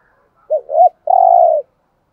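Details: Spotted dove used as a decoy, giving one cooing phrase in thúc gù style: a brief dip, a rising note, and a long, smooth, sustained coo, in quiet surroundings.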